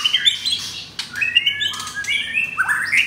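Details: White-rumped shama, F4 blorok bird held in a cage in Jakarta, singing coarse 'materi kasar' material. Short clear whistled notes repeat, followed by a sharp crack and quick rising slurs.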